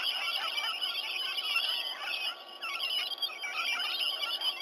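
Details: Many rainbow lorikeets gathered in and around a sea-eagle nesting tree at Sydney Olympic Park fill the air with dense, shrill, screeching chatter, at 7:03 a.m. on 19 November 2020.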